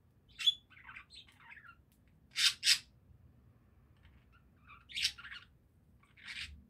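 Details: Budgerigars trade chirps, with paired sharp scratchy notes and soft squeaky twitters in quick bursts separated by pauses.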